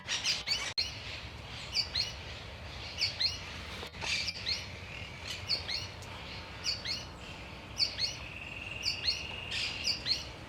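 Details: Sooty-fronted Spinetail, a small furnariid of central South America, singing a high two-note phrase over and over, each pair sharply pitched and repeated roughly every second amid faint background noise.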